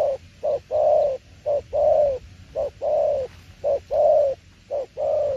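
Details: Spotted dove performing its 'tiểu liên nước' style of cooing. Soft, hollow coos come in a steady series: a brief note, then a longer one, roughly once a second, with a quiet low hum behind.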